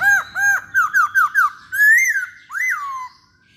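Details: Masked laughingthrush (poksay hongkong), recorded as a lure song. Loud, clear whistled notes: two arching notes, a quick run of four falling slurs, then long rising-and-falling whistles that fade out. Quiet indoor background.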